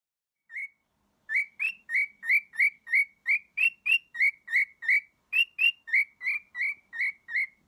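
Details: A male cockatiel sings to a stuffed dog, near which he always sings or does heart wings: a rapid series of bright, slightly rising whistled chirps, about three each second.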